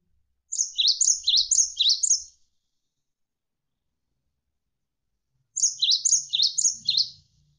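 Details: Javan sparrow in a gacor tutor recording: two bursts, each of about six quick, high, descending chirps topped by thin notes, repeated after roughly three seconds of silence.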